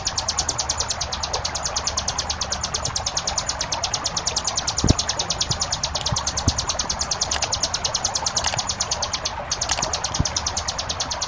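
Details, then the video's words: Long stretch of ciblek gunung 'ngebren' song with tight gaps, for masteran use with caged birds: dense, high, rapidly repeated chips hold steady for the whole run, with occasional clicks and a flowing-water backdrop. "MASTERAN CIBLEK GUNUNG NGEBREN JEDA RAPAT"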